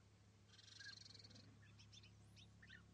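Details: A pair of European bee-eaters (Merops apiaster) perched in small trees 80 metres away at East Leake Quarry, on a very sunny morning, 5 July 2017, giving short, rolling, liquid 'prruip' notes in a quick scattered series over a low rumble.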